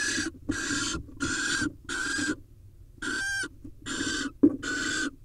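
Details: At a nest box in Israel, where a male barn owl delivers a vole and mates with the female, short rasping hisses repeat in quick series, some with a buzzy, tonal edge, and one sharp knock near the end.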